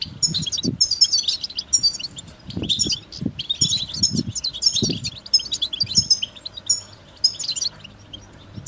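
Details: Goldfinch song of dense, high tinkling twitters and trills running almost continuously, over low thumping and knocking sounds in the background.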